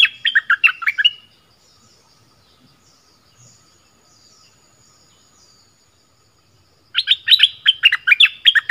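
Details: Southern Thai decoy bulbul sings two bursts of rapid, gurgling chirps, a lively tumbling phrase, then a long pause of near silence before another similar chattering phrase begins.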